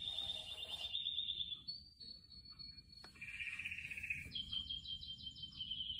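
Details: Canary song at a low level among houseplants: sustained high trills and rapid buzzy rolls, shifting between steady tones and pulsed phrases, over a faint low background hum.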